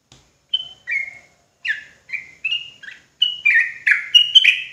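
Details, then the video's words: Javan sooty-headed bulbul in lure song meant to stir other bulbuls into rapid singing: short clear whistled notes, some flat, some slurred down, in a loose chattering series that grows denser and louder toward the end. Nothing else is heard. "Bikin Trucukan Lain Ikutan Ropelan Garuda dan EMOSI Ketika Dengar Suara Trucuk Jawa Ini"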